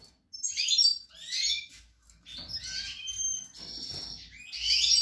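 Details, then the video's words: European goldfinch, caged breeding bird, recorded 28 March 2020: bright twittering phrases high in pitch, liquid trills and buzzy notes in short bursts separated by brief pauses, with faint low handling noise. "Chardonneret, El jilguero, bird, cardellino pezzato GOLDFINCH SONG"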